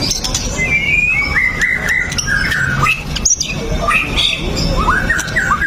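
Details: Continuous White-rumped shama song, recorded as a lure to set other shamas singing: a string of rich whistled phrases with rising and falling slurs and quick notes, heard over constant low-pitched noise.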